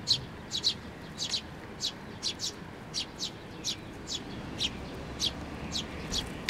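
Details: Several sparrows hopping onto an outstretched hand for food at a Tenmangu shrine on 19 May 2024; sharp, high chirps, single or in quick pairs, almost two per second, with faint low rumble behind.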